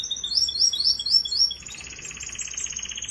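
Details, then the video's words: A Russian canary sings a quick, high run of repeated rising notes, then switches to a rapid rolling trill on a steady pitch. "Russian Canary Singing"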